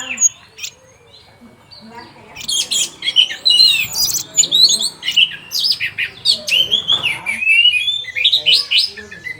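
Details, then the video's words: Red-whiskered bulbul (anis merah) song used as a training track for caged songbirds: a busy run of high chirps, warbled whistles and rapid rising and falling notes after a quiet opening, in a small room. "ANIS MERAH CEPAT BUNYI DAN TELER"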